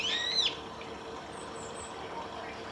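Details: At Saiko Wild Bird Forest Park, Japan, on 31 March 2018, a female brambling gives one short nasal, buzzy call at the start, rising then falling. Soft high squeaks follow over a quiet background.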